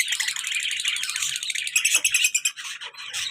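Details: Active pet lovebird pair, colour male and black-mask female, giving a continuous high-pitched twittering chatter of fast squeaky notes, with rapid ticking pulses and faint low thumps indoors.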